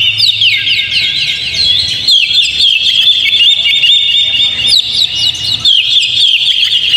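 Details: Lure song of the Oriental magpie-robin meant to make a caged bird sing steadily: rapid, overlapping chirps, sharp upward whistles and warbled trills in an unbroken stream, with brief dips and a low background hum.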